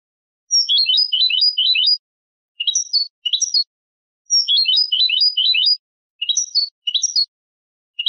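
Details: European goldfinch hybrid singing for young birds to learn from: a tumbling twittered phrase followed by two short squeaky notes, the pattern repeated twice in a clean recording.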